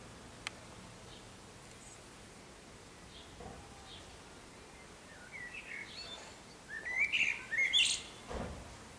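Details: Common swifts, at least six, circling nest boxes and a roof ridge corner: mostly quiet at first, then rising shrill screams and squeals in quick succession near the end, with a low thump.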